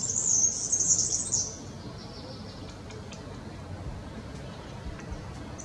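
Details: European serin, a yellow streaked bird, sings a rapid, metallic, jingling high-pitched trill lasting about a second and a half, then faint scattered notes follow over low background rumble.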